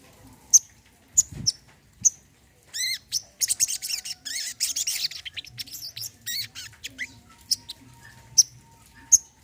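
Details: Olive-backed sunbird, used as therapy for birds that will not sing. Isolated piercing high chips open and close the passage, surrounding a dense two-second burst of rapid buzzy, twittering notes. No other sounds stand out.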